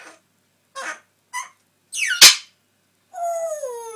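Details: Pet parrot left alone chatting to himself indoors, mimicking sayings, coughing and farting noises: short babbled syllables, a sharp burst, then a long drawn-out falling whistle-like tone.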